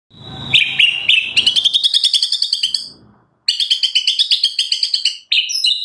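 White-rumped Shama pouring out fast, dense chattering phrases of sparrow-like chirps, about three notes a second, high and bright, with one brief pause.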